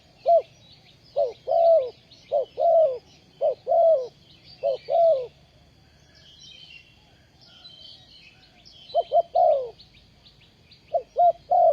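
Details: Trapping decoy spotted dove, recorded 20 April 2020, uttering repeated paired coos with a falling tail, pausing midway before resuming; busy high-pitched chirping of other birds runs throughout.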